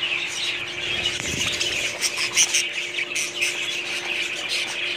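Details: Continuous high warbling chatter from several budgerigars, scratchy chirps overlapping without pause, a brief low thump near the start and a faint steady hum.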